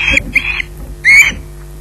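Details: Osprey waiting for food at Loch Garten: three short, shrill squawks with gaps between them, the last one rising slightly and louder, over faint background hum.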